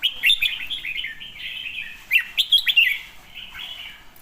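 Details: Red-whiskered bulbul song: a bright opening flourish, a softer rambling warble, then a loud run of quick chirped notes before fading off.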